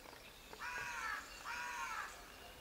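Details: Raven giving two grating, drawn-out croaks in quick succession, each roughly half a second long with a rough harmonic texture, over light outdoor background noise.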